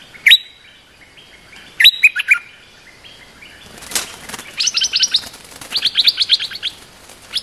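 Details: Territorial bulbul lure song for provoking the resident bird to attack: two short bright chirping phrases, a brief fluttering rustle like wings, then rapid runs of quick, repeated high chirps.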